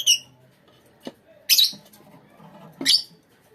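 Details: Lovebirds in a colony give three separated, high, squeaky calls about a second and a half apart. A soft knock and faint low rumbling sit between them.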